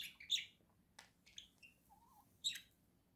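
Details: Indoor caged budgerigar pair, November 2024: bright chirps and chatter over a low room hum, with a brief low warbled whistle in the middle.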